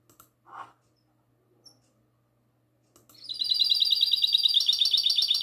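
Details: Goldfinch hybrid delivering classic-style song on the night of 22 March 2020. A brief low rustle and a single chirp come first, then a sustained, rapid, ringing trill of high buzzy notes.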